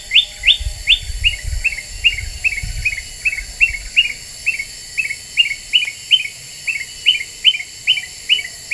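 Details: Black-winged bulbul used as a lure, described as very vocal: a long, nearly continuous run of short chirps, some higher and sharper, others lower and softer, repeated around twice a second.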